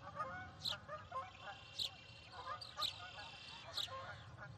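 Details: Spotted eagle-owls at a Johannesburg nest cam, 21 October 2021, as the male delivers a rat to the female to feed their two owlets, give harsh, rasping screeches about one a second over a low rumble.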